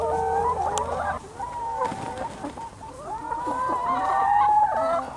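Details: Free-range young chickens roaming a Lower Rhine farm in Germany give a busy mix of short clucks and longer wavering, tonal calls from several birds, calls overlapping and following one another rapidly over a faint low hum.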